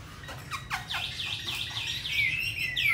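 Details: Singing caged Hwamei from Hanoi, Vietnam, a forest-voiced bird: a quick cascade of falling notes gives way to repeated bouncy, cup-shaped whistles, closing with a sharp upward sweep.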